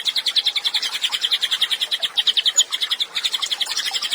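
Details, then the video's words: Cililin training song for songbirds: rapid high twittering notes in a long chattering run, briefly faltering near the middle, then picking up again. "CILILIN GACOR, MASTERAN HANDAL UNTUK BURUNG KICAU"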